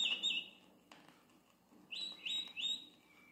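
Campo Flicker sounding the alarm: a sharp, high opening call, then three loud ringing notes in quick succession over a quiet background.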